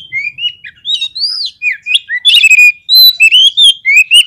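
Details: Oriental magpie-robin, lure song intended to trigger fighting behaviour in other birds: steady stream of clear whistled slurs, arched notes and rapid choppy twitters, loud and unbroken.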